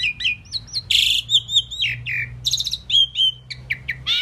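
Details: Talking Indian pied myna, which says "Mynah" among other words, strings together chirps, a broad harsh squawk, falling whistles, a burst of rapid stuttered notes and upward-sliding calls. Faint low hum beneath.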